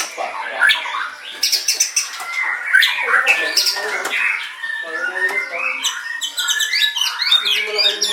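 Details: White-rumped shama singing a jumbled sequence of whistles, clicks and rasping chatter. Phrases are varied and irregular, with short gaps between bursts.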